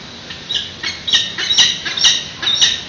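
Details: Begging squawks from peregrine falcon chicks being fed at a San Francisco nest on the morning of 13 June 2017, picked up by a live webcam: rapid, rasping, high cries running almost continuously.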